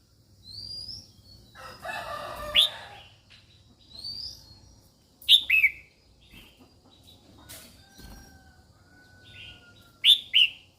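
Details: Female red-whiskered bulbul calling to stimulate males: sharp, bright chirps and slurred descending whistles in short bursts, with fluttering wing noise and faint rustling between calls.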